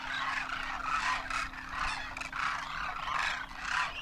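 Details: Wild Demoiselle Cranes wintering in Rajasthan, India, a great flock with first-year young, trumpeting as they fly; overlapping rolling calls swell and fade in waves roughly every second.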